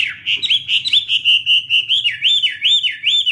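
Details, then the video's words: Chinese hwamei, waving its wings, sings a rapid string of clear, warbling whistles, then a run of rising-and-falling looped notes repeated about three times a second. "Birds Garrulax canorus:Birds Waving wings and singing, The sound of birds singing wonderful"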